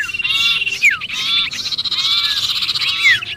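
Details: Sirpu distress calling as though caught, meant to draw in other birds: continuous buzzy, harmonic chatter broken by several sharp downward-sliding squeals.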